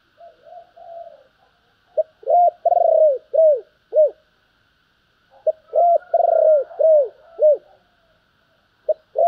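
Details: Spotted dove cooing in the styles locally called thúc and gáy gọi: two hoarse, mellow phrases of clipped coos and one long drawn note, each rising then falling, with soft low murmurs before and a faint steady hum behind.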